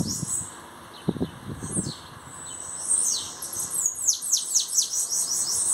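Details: Bananaquit kept as a song bird, newly arrived and beginning to show its singing: thin, high sibilant notes and quick falling sweeps, sparse at first and then a faster run of slurred high phrases, with low thumps and knocks at the start.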